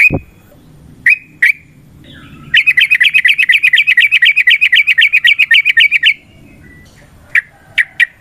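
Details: Yellow-vented bulbul's long fighting song, used to provoke other birds to sing: a few sharp chirps, then a long, even rattle of about four quick bubbly notes per second lasting several seconds, followed by scattered single chips.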